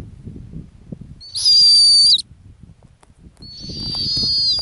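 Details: Female snowy owl at its nest on the Arctic ground, calling two loud high whistled screams, the first sharp and level with a falling tail, the second longer and softer, against a faint low rumble.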